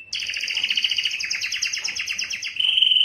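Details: Canary (Serinus canaria), song: attracting females for breeding.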